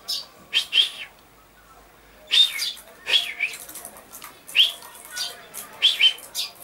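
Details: Common chaffinch recorded 22 August 2013: clusters of short, bright chirps, a doubled pair near the start, then single arched notes about every second and a half over a soft background.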